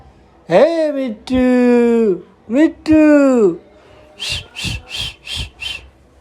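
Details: Green parrot talking indoors: drawn-out, voice-like whistled tones with rising and falling pitch, followed by five short, harsh, evenly spaced bursts.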